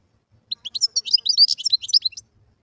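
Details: A wild European goldfinch delivers a fast, liquid, high-pitched twittering phrase of varied chirps and short slurred notes lasting under two seconds, against a quiet background.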